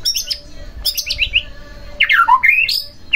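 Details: White-rumped shama song used to stir another shama into singing: bursts of high trilled notes followed by a downward slurred whistle and rising harsh phrases.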